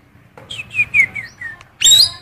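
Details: Female magpie-robin material, sung by a blue cucak keling to lure male magpie-robins: a run of five clear whistled notes, each slightly lower than the last, ending in a loud, harsh burst.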